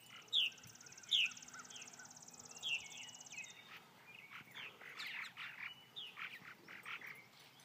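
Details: Purple martins of Elbert County, Georgia, the county bird: three loud, sharp downslurred chirps spaced about a second apart, then a stretch of softer, blurred chattering notes, with a steady high insect-like buzz early on.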